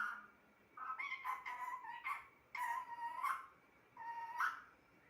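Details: Indoor pet parrot talking, delivering three clustered runs of nasal, speech-like syllables with uneven rhythm, the last phrase ending on a sharp upward inflection.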